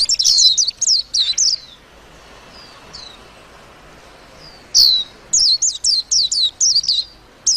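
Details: Warbling white-eye warbling song: bursts of high, rapid twittering notes with quick up-and-down slurs, first a run of five or so, then faint single slurred whistles, then another lively run of bright chirps near the end.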